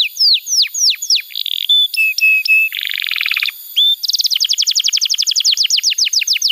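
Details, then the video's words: Canary singing vigorously to prompt young canaries to sing: downward-slurred whistles, flat sustained tones, a buzzy rattle, then a fast, even trill of high notes. "Pancingan Suara Kenari Gacor‼️ Ampuh untuk Masteran Kenari Muda dan Terapi Kenari Macet Bunyi"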